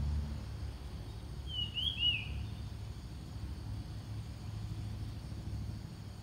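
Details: Ground thrush song played to lure wild birds. A single short whistled phrase with rising and falling slurs, over a loud, steady low rumble that sounds like a vehicle.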